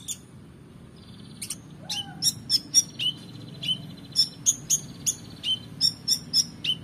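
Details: Van Hasselt's sunbird in lively, excited full song used to train competition birds: rapid run of sharp, very high chirps and short slurred whistles, about three to four notes a second, over a steady low rumbling background.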